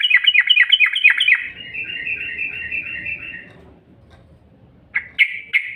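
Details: Lure call of the yellow-vented bulbul, used to stimulate birds into nonstop song: a loud run of rapid bubbly chirps fading into softer warbling chatter, then three short sharp notes near the end.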